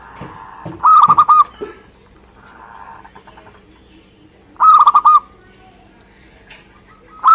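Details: Vigorous song of a local Indonesian zebra dove: phrases of five to six rapid, sharply cut cooing notes, about three and a half seconds apart, with soft low cooing and faint rustling in between.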